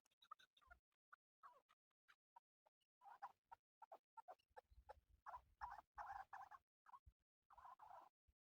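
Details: Male chukar partridge, a bird used in hunting, gives scattered short clucking notes that quicken into denser bursts of rough chatter midway, with pauses between groups.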